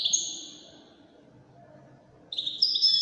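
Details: European goldfinch singing in the Wedani (الويداني) song style: a high twittering phrase with a long, slightly falling buzzy note, a quiet pause, then a bright burst of chattering trills.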